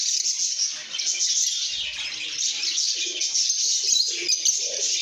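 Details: Contented lovebirds keep up constant shrill twittering, many overlapping squeaky notes, with occasional low soft sounds beneath.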